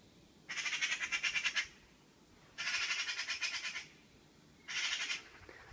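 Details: Bird calling at 5:12 a.m., which the recordist thinks but is not sure is a Eurasian magpie: three harsh, rattling chatters, each a rapid run of dry, grating notes about a second long, separated by short pauses.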